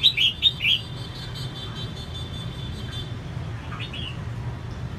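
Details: A female red-whiskered bulbul sings to excite males, opening with a crisp burst of three slurred, chirpy whistles, then a faint short note later amid constant low rumbling noise.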